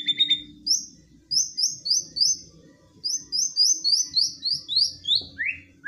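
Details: Aggressive white-rumped shama song to provoke a rival: a series of very high, short sliding chips repeated about three times per second, ending in a lower slurred note.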